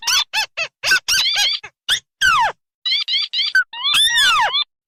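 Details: Crake lure sound mixing red and white tikusan birds of rice fields and marshes: bursts of short arched nasal notes, separated by silent gaps, and several loud, downward-sweeping whistled slurs.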